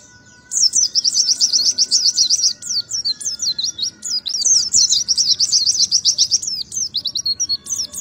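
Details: Oriental white-eye giving a long ngalas song, rapid high twittering runs broken by a short gap, then more fast chattering notes and scattered sharp chirps.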